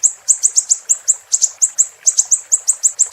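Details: High, sharp chirps from a Siri-siri, repeated roughly six times a second in a steady stream, recorded as tutor material for cage birds to imitate.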